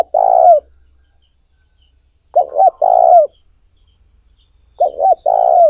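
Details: Spotted dove cooing used as a lure for training decoy doves: a long low coo, then two full phrases of paired short coos and a sustained falling coo, about two and a half seconds apart.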